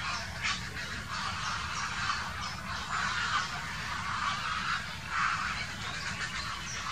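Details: Grey herons in a dispute, 2018: a steady stream of hoarse, croaking calls with rough, noisy tone, rising and falling in loudness across seven seconds, over faint twittering and a low rumble.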